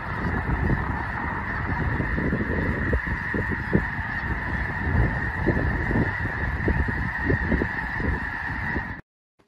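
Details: A few thousand snow geese in winter at Loess Bluffs National Wildlife Refuge, northwest Missouri, call at once: a dense, unbroken din of nasal, high-pitched honks and yelps merging into a roar, then sudden silence.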